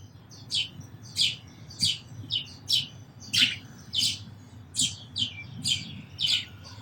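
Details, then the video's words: Sparrow giving steady, sharp repeated chirps, roughly one and a half per second, each a short high note with a slight downward slur. "Very Beautiful Birds & Sparrows Sounds"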